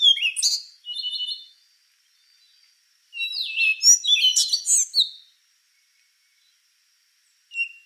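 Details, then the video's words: Rufous-brown solitaire delivering complex, high-pitched song phrases: tumbling metallic twitters and fluty slurs in several bursts, with silent gaps between them and a short final note. "Canto do Sabiá Castanho | Rufous-brown Solitaire"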